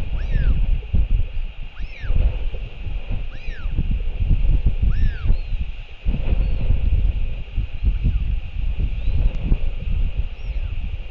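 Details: Male Royal albatross returning to feed its chick, nest camera in New Zealand, evening of 28 March 2023. Short arched calls curving up then down come roughly every one to two seconds against heavy wind noise.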